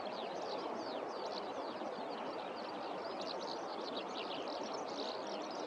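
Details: Eurasian skylark singing over rice fields on a warm spring day, with several birds singing here and there; a continuous, rapid stream of high chirruping, warbling notes, partly masked by steady broadband background noise.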